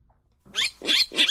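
A Virginia Rail gives three harsh, raspy grunts in quick succession, each about a third of a second apart and oddly pig-like. No other sounds.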